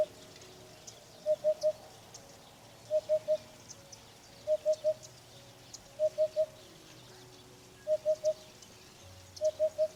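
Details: Eurasian hoopoe (Upupa epops) giving its call when excited or on landing: soft, hollow, low triple hoots, oop-oop-oop, repeated every one and a half to two seconds, with faint high insect or bird chatter behind.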